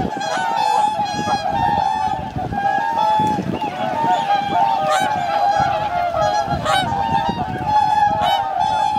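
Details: Thousands of wintering swans on Lake Hyoko, a Ramsar wetland in Agano, Niigata, January 2022; loud sustained honking chorus, many trumpeting voices overlapping, with occasional sharper clicks and low background rumble.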